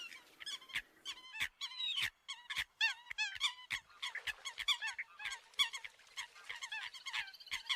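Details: Eurasian coot calls played to lure birds in: a rapid, uneven series of sharp nasal honks and squeaky upslurred notes, many callers overlapping, dense and continuous throughout.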